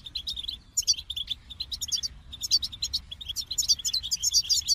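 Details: Fast, jingling goldfinch twitter with a steady stream of short high notes and sparkling trilled flourishes, becoming denser in the final seconds.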